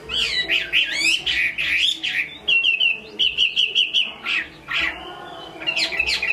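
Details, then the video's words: Chinese hwamei singing well, a bird from Hai Phong: rich warbled phrases, then a run of steady repeated whistled notes at one pitch, followed by loud varied bursts of song. "Họa mi hót tốt"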